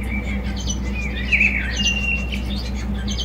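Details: A Java sparrow strings together level whistled notes and warbling chirps, with a brighter trill in the middle, over a continuous low droning hum.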